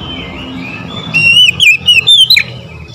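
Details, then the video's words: Oriental magpie-robin's morning song: a soft lead-in, then a short series of sharp, slurred whistles rising and falling, set against a steady low background hum. "OCEHAN KACER DI PAGI HARI"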